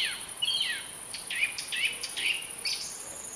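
A song thrush gives a short run of clear, varied whistled notes and sweeps, about one every half second, over a steady high insect whine.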